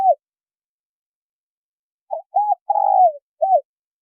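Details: Female spotted dove cooing to stimulate a male: a clipped closing hoot opens, then after a pause one full phrase of two short coos, a long tremulous descending coo and a last short note, with no other sounds.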